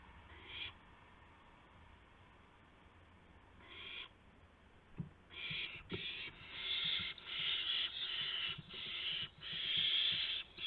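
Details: Owlets fed mice and a gopher by adult owls around midnight, March 19, 2016; two isolated raspy screeches, then an accelerating run of loud, harsh hissing bursts, with scattered clicks and scuffling underneath.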